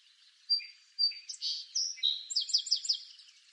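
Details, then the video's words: A song sparrow in eastern North America sings two clear opening notes, then a jumbled buzzy middle and a fast rattling trill of repeated high notes to finish. "Song Sparrow Bird Song"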